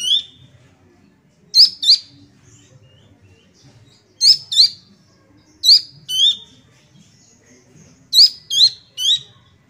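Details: A young Sunda bush warbler calls often: bright, high, hooked chirps that drop slightly at the end, in pairs with gaps of one to two seconds, over a quiet low rumble.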